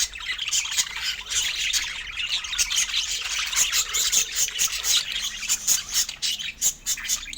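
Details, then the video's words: Feeding budgerigars keep up a steady, high-pitched warbling chatter, many overlapping chirps and sharp ticks running without pause throughout, with no other sounds beneath. "Budgie Nutrition Basics with Sweet Sounds and Feeding Joy"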